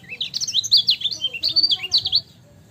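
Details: A lemon-bellied white-eye (kecial kuning) in a tutor recording, singing a brisk run of high, thin, warbling notes that jump up and down in quick succession for about two seconds before stopping.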